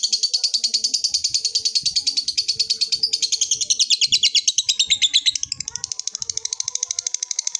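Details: Lovebird's long ngekek trill aimed at a rival, a continuous rapid stutter of high-pitched pulses lasting throughout, briefly louder near the middle and softening slightly toward the end.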